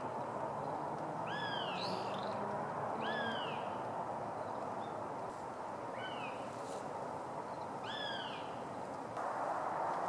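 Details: Female northern goshawk calling, recorded 20 March 2016 in Japan; a few drawn-out, arching, slightly nasal notes with a rise and fall, spaced about one to two seconds apart, over a steady broad rushing background.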